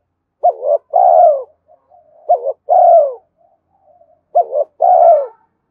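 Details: Spotted dove cooing to lure wild doves, urging and calling coos: three two-part phrases about two seconds apart, each a short wavering hoot and then a longer smooth falling coo, with soft faint notes between them.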